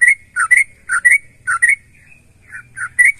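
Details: Sooty-headed bulbul singing to provoke other bulbuls into song: short clusters of chattering whistled notes in pairs, a brief thin high note mid-phrase, over a faint low background hum.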